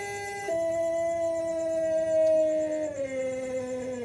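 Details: Young Pelung rooster, six months old, practising its crow. A sustained, level tonal note jumps up slightly after half a second, holds steady, then steps down in pitch near the end. Low background noise.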